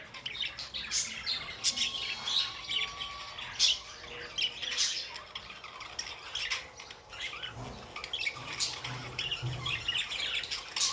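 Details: Budgerigar squawks and warbling chatter, harsh and high, delivered in irregular bursts; faint low thumps sound in the background toward the end.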